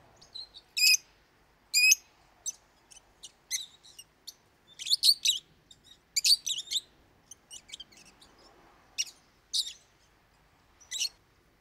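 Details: Lovebird parrot kept as a pet, calling in loud high chirps: two strong ringing notes at the start, then scattered squeaks and twittering bursts spaced over several seconds against a faint hiss.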